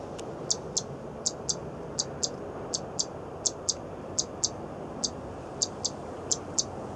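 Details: A zitting cisticola at a riverbank in its active season, calling and flying about, gives sharp, high, ticking 'zit' notes like a stick striking, often in pairs, two or three a second, over wind-like noise. It uses two call types.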